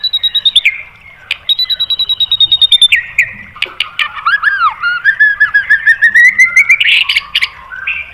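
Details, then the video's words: White-rumped shama song used as a training recording to provoke other birds: long steady whistled notes with clicks between them, then rising and falling slurred whistles and a quick chattering finish. "MASTERAN MURAI BATU memancing EMOSI JADI NYAUT BUNYI BONGKAR MATERI TEMBAKAN"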